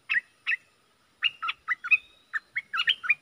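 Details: Decoy bulbul with two sharp chirps, then a lively run of slurred whistled notes rising and falling, ending in quick bubbly phrases. Quiet surroundings.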